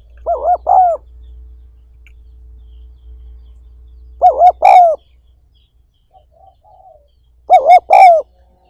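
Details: Spotted dove coo recorded for training decoy birds and stimulating wild-caught doves: three low, hollow, three-part coos, the final note longest and sliding down, spaced about every three and a half seconds over a faint low hum.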